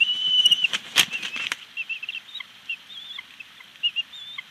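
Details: Wild bald eagles at their nest at Big Bear Lake on 25 April 2019; the female grows vocal after the male drops an unseen item. Wing flaps open, then high, thin chirps and short whistled notes repeat rapidly.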